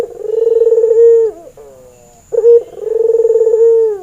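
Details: ['Barbary dove, a red-eyed albino male in breeding mood, kept as a master lure for training. Two deep rolling coos with a steady tremor, separated by a quiet drooping note and a clipped start to the second coo.']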